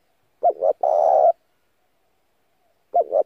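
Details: A spotted dove decoy calls to lure and rouse wild doves. Two quick doubled notes lead into a long, rough, flat coo, and after a pause the phrase starts again with the doubled notes.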